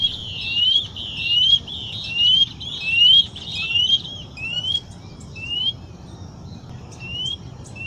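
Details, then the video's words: White-bellied Seedeater singing clear, rising whistled slurs, about one each second, crowded at first, then spaced out, over a faint low rumble. "Canto número 26, Patativa Chorona."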